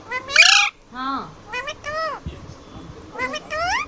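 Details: A pet Indian ringneck parakeet talks in a high, harmonic-rich voice, apparently saying "mummy", giving short word-like phrases with rising and falling inflections over under four seconds.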